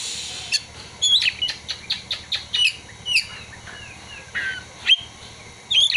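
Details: Kacer, the Oriental magpie-robin, in song with imitated prinia and sunbird material: a rapid run of sharp chirps and slurred whistled notes, nearly continuous, with a brief pause before a final burst.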